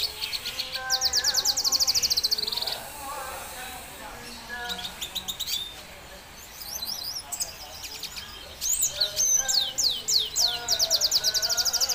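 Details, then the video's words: Red siskin song: fast buzzy trills and rapid chattering runs of high notes, a quieter pause in the middle, then renewed lively twittering, with faint low voices or tones underneath. "Red Siskin singing"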